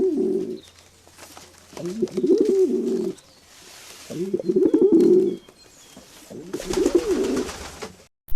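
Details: A Rock Pigeon in winter gives low, throaty, rolling coos in three bursts about two and a half seconds apart, over a faint steady hum.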